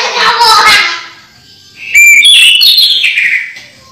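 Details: Caged orange-headed thrush kept at home, its song used to lure other thrushes into singing: a loud rough burst, then a pause, then a run of loud slurred whistled phrases wavering up and down.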